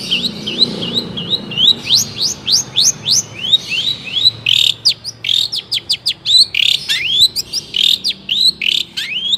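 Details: Long-tailed shrike in lively tutor song meant to get other shrikes singing back: a fast chain of high chirps and sharp upward-sweeping whistles, dense and varied, with brief clicky bursts in the second half and no other clear sounds.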